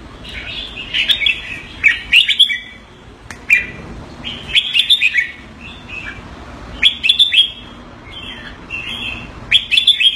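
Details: Kept Red-whiskered Bulbul in Singapore giving keke calls on command: bright chattering bursts of short, slurred chirps, each burst a second or so long, repeated at uneven intervals with quiet gaps between.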